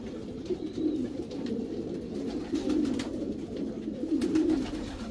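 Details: Racing Homer pigeons cooing in a loft breeding section, soft low rolling phrases in three main bursts, accompanied by scattered clicks and wing-like rustles.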